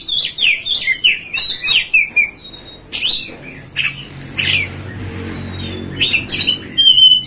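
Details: Oriental magpie-robin (kacer) delivering falling whistled notes followed by harsh, scratchy squawk-like bursts and sharp clicks, with quieter gaps between.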